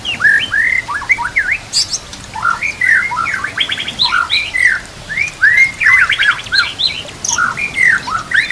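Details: White-rumped shama (murai batu) song used to train other murai birds: a busy run of upslurred and downslurred whistles, V-shaped notes and rapid repeated clicks, nearly continuous throughout.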